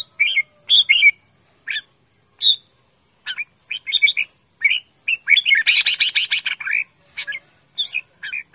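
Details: Red-whiskered bulbul calling loudly and playfully: short chirpy notes spaced irregularly, then a dense burst of harsh noisy chatter in the middle before more separate chirps.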